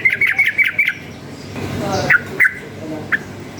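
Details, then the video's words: Sooty-headed bulbul, a wild-type bird stirred up by surrounding noise, gives a quick run of five bright chirpy notes, then a pause and a few scattered single chirps, with a motorbike passing and a voice nearby. "suara bising menambah EMOSI burung TRUCUKAN ini | trucukan ngalas gacor nembak ropel uplik uklik"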